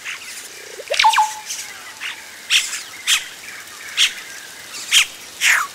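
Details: Nestling Yellow-rumped caciques call as adults arrive at the nest, recorded up close: a loud swooping call, then short scratchy notes spaced roughly a second apart.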